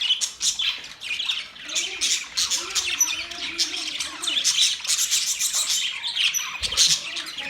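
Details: Several caged budgerigars in a newly set up cage, chirping continuously: dense, overlapping high warbles and short squeaky notes with brief louder bursts, a steady busy chatter throughout.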